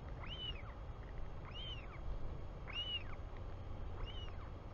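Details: Royal albatross chick at its New Zealand nest on 24 July 2020, 4:06 pm, calling as its father returns: four evenly spaced, thin arching squeals, one roughly every 1.2 seconds, with constant wind noise underneath.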